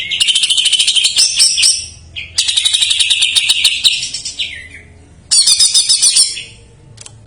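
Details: Greater green leafbird singing isian jamtrok phrases to stimulate untrained or stalled birds; three loud bursts of dense, high chattering trills, separated by short quieter pauses.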